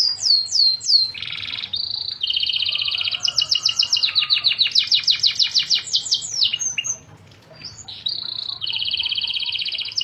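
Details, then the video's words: Canary singing vigorously (gacor): varied high song mixing downward-sweeping whistles, fast buzzy trills and rattling phrases in quick succession, with a short pause near the end before trilling resumes. "Burung kenari Gacorr"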